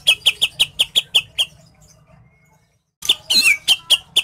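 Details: Greater green leafbird song, meant to bring a contest bird into breeding mood: a steady train of about nine sharp repeated notes, a pause of over a second, then a harsh noisy burst and more repeated notes.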